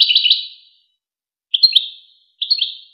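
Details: European goldfinch, from a tutoring recording for young goldfinches and hybrids: three short twittering phrases of quick bright notes, separated by pauses, clean background.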